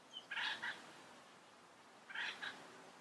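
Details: Yellow-headed parrot in the wild, in its natural environment: two short, harsh, buzzy squawks about two seconds apart, each in a quick double burst, heard at some distance over a quiet background hiss.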